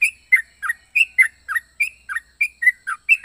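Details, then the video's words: Yellow-vented bulbul with a quick chain of whistled, down-slurred chirps at a steady pace, about three a second, in its unique varied song. "Burung trucuk unik suara aneh"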